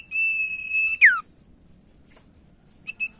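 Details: Common iora singing a lure song meant to make quiet ioras sing: one long, level, high whistle closing with a quick downward swoop, then a pause and two brief high notes.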